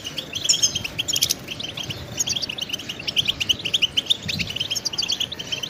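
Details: Goldfinch song for songbird training: bouts of quick tinkling chirps and short trills, with brief near-gaps between bursts and a sharp bright accent early on.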